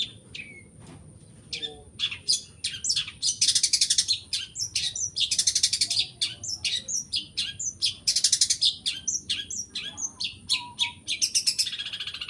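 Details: Long-tailed shrike weaving imitations of prenjak, sparrow and other birds into its song: rapid chattering clicks and dense buzzy rattling bursts in quick succession, under a steady thin high tone.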